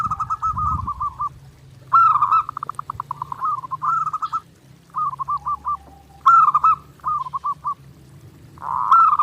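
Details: Zebra dove (perkutut) singing nonstop in a clear master recording meant for daily training: bursts of rapid rolling, stuttering coos, each phrase a quick trill of soft notes, repeated with short pauses, over a faint low hum.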